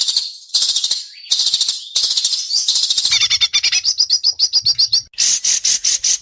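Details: White-rumped shama at a singing competition, delivering a sharp, fast "besetan" style. Loud, harsh, buzzy bursts give way to a rapid series of clipped, repeated high notes and then ringing chips.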